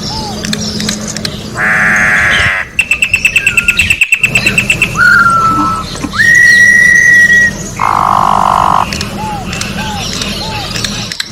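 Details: Orange-backed troupial singing in the wild, long pure whistled notes held level and slightly falling, mixed with loud buzzy harmonic blasts, a quick rattling series and small looping calls from other birds, low hum throughout.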